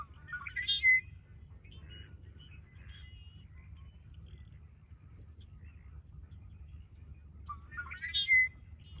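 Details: Ridgefield National Wildlife Refuge, 20 February 2025: a red-winged blackbird sings twice, about seven seconds apart. Each song has a rising lead-in and a loud buzzy, crackling trill ending in a high whistle, with faint chips and distant low rumble between.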